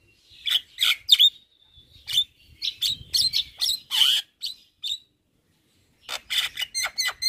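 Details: Javan myna in full chattering song, said to sing all day without stopping: sharp, high, clicking notes in irregular bursts, a few short whistles, a pause, then a quick run of bright chirps.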